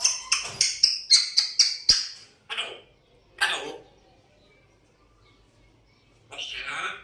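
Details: African grey parrot trying to talk, opening with a fast run of about eight sharp clicks, then a few breathy speech-like squawks separated by pauses in a small room.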